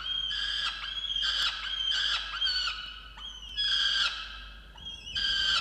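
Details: Peregrine falcon on a nest box in a water tower at Orange, New South Wales, Australia, November 2022, angry at its mate over missing breakfast; repeated long, grating whines rising then levelling, about four bursts separated by short pauses and ticks.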